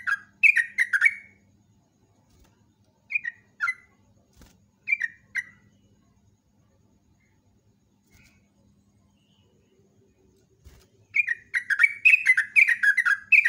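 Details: Yellow-vented bulbul (Pycnonotus goiavier) singing actively in the morning: short, bubbly, chattering phrases in bursts with pauses, ending in a longer run of rapid chirps; faint low hum behind.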